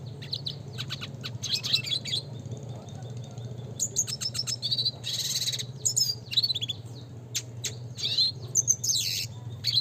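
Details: Spinus cucullatus, the red siskin, delivering classic gacor nembak ngeroll song as a training lure: long runs of fast, buzzy, high twitters and chirps with brief pauses, low mechanical hum behind.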